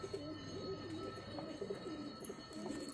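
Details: Pair of pigeons cooing: low, throaty, wavering coos that swell and dip, repeated roughly every half second to second, with a faint constant hum behind them.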